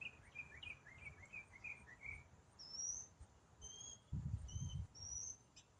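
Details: One songbird singing its long complex riff in autumn: quick descending whistled slurs, then high thin drawn-out whistles at spaced intervals. A brief burst of low rumbling noise breaks in near the end.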